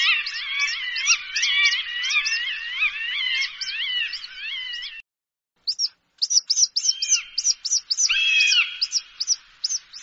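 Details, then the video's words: Repeated hawk calls used to disperse birds: dense fast series of sharp, ringing, bending notes for about five seconds, a clean silence, then scattered clipped notes and a few longer level tones. "ZVUK JASTREBA. Rastjerivač ptica. HAWK. The sound of a hawk. The dispersal of birds"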